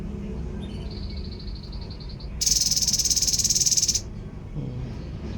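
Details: Babbler (tepus) producing one long rattling buzz of about a second and a half, made of rapid even pulses, after a thin steady high-pitched whine in the background.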